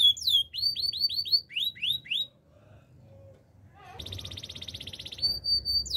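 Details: Canary song: quick series of upslurred whistled notes, a short pause, then a dense high rattling trill ending in a clear sustained whistle.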